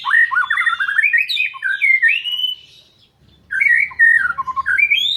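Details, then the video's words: White-rumped shama (murai batu) singing: loud, rich warbled phrases of rising and falling whistles, a brief pause near three seconds, then a fresh burst of varied slurred notes climbing upward. "Kicau Murai Batu"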